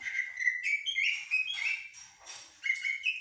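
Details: Common blackbird, called jahmumiya or shahrur, giving song of the 'blacksmith' and 'military' styles: gliding fluty whistles and warbled phrases, with a brief pause before a final burst of rising notes.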